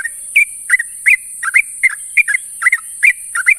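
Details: Morning companion call of a sooty-headed bulbul: paired bubbly chirps repeated about three times a second in a steady run, with continuous high hiss behind them.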